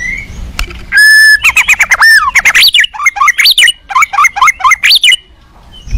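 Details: A worked-up white-rumped shama sings to goad other shamas into replying: one long steady whistle, then rapid zigzagging whistled notes and harsh squawky elements in a dense, energetic burst.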